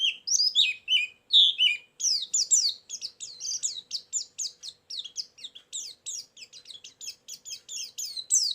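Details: White-eye song used as a lure and filler sound, very vocal: a fast chattering run of high, sharply falling twittered notes, with some sweeping slurs early on, in a continuous stream.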